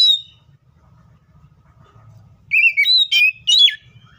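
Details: Wild Oriental magpie-robin gives a short burst of loud whistles: a few clear, sliding notes with abrupt pitch jumps after two seconds of near silence. A faint low rumble is heard in the background.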